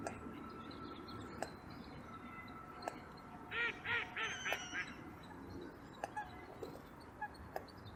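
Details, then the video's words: A few Eurasian coots on a local pond in Perth, Scotland, on 25 January 2023 give a quick run of four or five nasal, honking calls and sharp single clicks spaced every second or so, over steady wind and water noise. "Eurasian Coots Calling and Making Clicking Noises"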